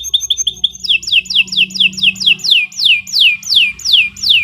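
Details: Canary song used as a master recording for training: a steady run of short high notes, then a series of loud descending whistled sweeps repeated about twice a second, with a faint low hum beneath.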